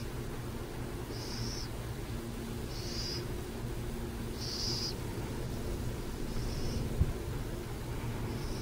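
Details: In San Jose, a burrowing owl gives five short, high, rasping hiss-like calls about every one and a half seconds over a steady low rumble of traffic or wind.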